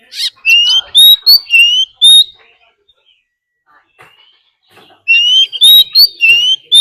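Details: Oriental magpie-robin decoy singing a fighting song to excite other birds: a run of ringing, slurred whistles about two each second, a three-second pause with faint soft notes, then the same bright whistled series again.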